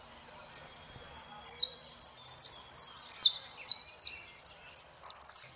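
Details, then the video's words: El peregrino song of an Argentine saffron finch: repeated bright, high slurred chirps in quick succession, ending with a short rapid trill. "JILGUERO ARGENTINO - El peregrino"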